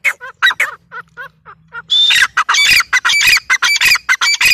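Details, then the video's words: Female grey francolin (teetar) calling: a few soft, nasal, wavering notes, then a loud burst of harsh, ringing, high notes repeated quickly, almost two per second. "female teetar sound"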